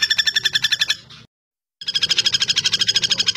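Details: Common flameback, also called common goldenback, calling in a rapid, ringing, metallic rattle of around seven notes per second. It pauses for half a second, then the same steady trill resumes.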